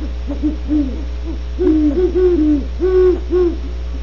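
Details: Great horned owls recorded at Starr Ranch, California, giving a series of low, overlapping hoots, soft at first and then louder, with a continuous low hum beneath.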